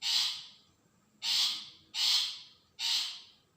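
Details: Long-tailed shrike call, played as a lure to provoke a reply: four harsh, rasping squawks, each about half a second long, repeated at under one-second intervals against a quiet background.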